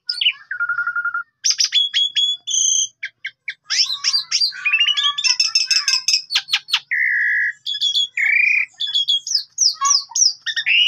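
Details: Energetic Asian pied starling song from Indonesia meant to trigger singing in other birds: a long dense medley of clicks, sharp rising sweeps, steady whistled tones, chatters and harsh rattles with hardly a gap.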